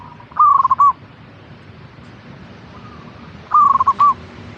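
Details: Local zebra dove kept in a cage, singing as a morning or afternoon lure for other perkutut: two rolling cooed phrases, each a quick trill of notes closing with a detached final coo, with faint hiss behind.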